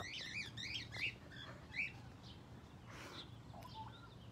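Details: At Fort Wayne Children's Zoo, a rainbow lorikeet close to the camera gives four quick, shrill arched chirps within two seconds, then quieter, softer notes over a faint hum.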